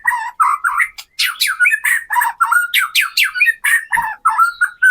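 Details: White-rumped shama, murai batu, in kretekan lure song: lower, harsh chattering notes and squawky slurs repeated rapidly, broken by a few short gaps.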